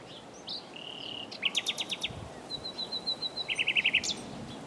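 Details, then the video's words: Common nightingale singing: a thin whistle, then a loud burst of rapid repeated notes, a level series of short high pips, and a second fast rattling volley near the end. "Common Nightingale singing"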